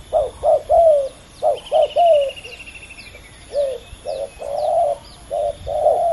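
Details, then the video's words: Two male spotted doves dueling fiercely at ground level. Rapid sequences of burry coos, some drawn out, over a soft insect trill and scattered high bird chirps. "ต่อดินนกเขาใหญ่ ดุเดือดคู่นี้!!"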